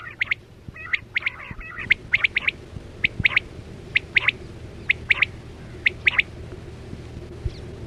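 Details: Lure quail, locally called chora batera, for 2024-25 net hunting: crisp high chirps given in pairs and short groups at fairly even intervals, over a faint low electrical hum.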